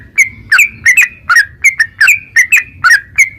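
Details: Yellow-vented bulbul in a rapid, continuous ropel-style song played to spur caged birds into singing; bright clipped notes with quick upward and downward inflections, about three per second, over a faint low rumble.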